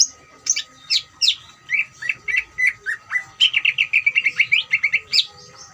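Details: Ngeriwik song of a greater green leafbird, used to provoke other leafbirds to sing; slurred whistles speed up into a fast, even run of bright repeated notes, about five per second, with a faint constant tone underneath.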